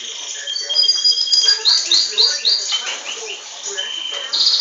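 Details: Captive-bred Belgian canary singing a bright, high song of rolling trills, rapid rising sweeps and sustained whistled notes, with a long buzzy note at the end.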